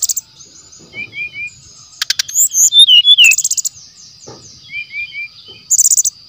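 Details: Brown-chested jungle flycatcher singing in the wild, used as lure material: soft descending whistles, a louder burst of slurred notes with buzzy chatter, then repeated short downslurs. A steady high tone persists.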